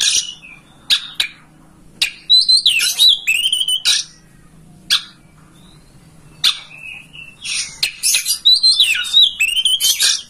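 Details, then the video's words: Oriental magpie-robin (kacer) master song used to coax a home bird into tail-spreading and singing; dense bursts of rich, varied warbling and chattering with sharp clicks, pausing in the middle before resuming loudly, faint low hum underneath. "Masteran kacer agar ngobra"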